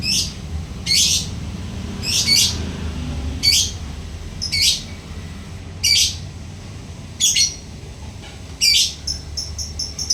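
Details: Lovebird in diligent ngekek song, giving loud rasping bursts at uneven intervals of one to two seconds. Faint, high, thin ticking notes close the passage over a constant low background hum.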